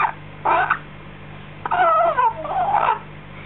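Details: A six-week-old African grey parrot chick, just fed, makes a short nasal squawk, then after a pause a longer wavering, falling whine followed by softer warbled notes; faint low hum throughout.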